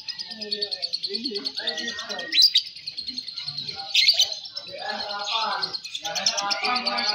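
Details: Lovebird, Balibu class, singing during a competition: continuous rapid high chatter with pulsing rhythm and a couple of sharp louder squeaks, accompanied by people talking nearby.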